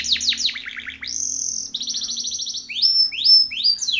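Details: Timbrado canary training song with varied phrases: rapid descending chips, a held bright tone, a pulsing trill, then loud upward-swooping whistled notes.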